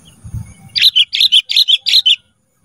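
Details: Kutilang emas in a training recording for cage birds: a lively run of about eight bright, chirpy whistled notes delivered evenly in quick succession, preceded by soft low rumbling.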